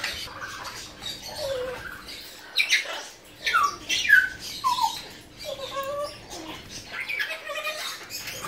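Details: Young tame blue-winged macaws, a hand-reared captive pair born in 2017, give spaced squawks and short falling whistled notes with quiet gaps between.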